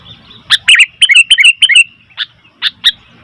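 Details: Noisy Sooty-headed bulbul giving a quick series of slurred chirps, followed by three spaced sharp single notes.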